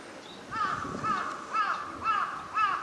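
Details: Northern shoveler, a winter visitor, among park ducks at Junsai-ike green space, Chiba, Japan, February 2026: five nasal, arched calls repeated about every half second, steady and even, over low background hum.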